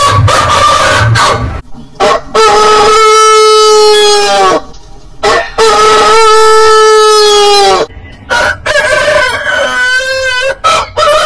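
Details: Long rooster crows, each about two seconds, steady and gently falling at the end, repeated three times with brief choppy sounds between them.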